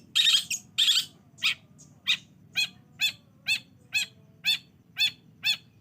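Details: Long-tailed shrike call played as a lure to get a lazy shrike singing: a few loud scratchy bursts open, then even, ringing arched notes about twice a second.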